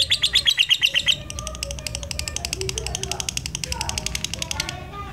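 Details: Black-eyed lutino lovebird used to stimulate other lovebirds: a burst of loud descending chirps, then a long rapid train of softer buzzy pulses ending abruptly, over background murmur and lower bird calls.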